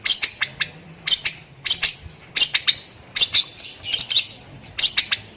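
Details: Long-tailed shrike singing lovebird-filled 'tembakan' song: tight bursts of two to four high squeaky chips, repeated every half second or so in an energetic twittering pattern.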